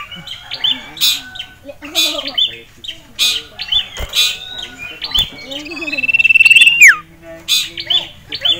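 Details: Agitated caged male sirtu, excited by a female and a rival, delivers choppy whistled phrases, then a long, steady, rapidly pulsed trill ending in a steep falling slur.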